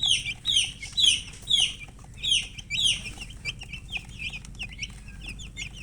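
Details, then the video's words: Domestic chicken chirping: loud, clear downslurred peeps repeated about twice per second, then fading into softer, quicker overlapping chirps from several birds. "silly chicken chirping sounds with murgi hen color chicken"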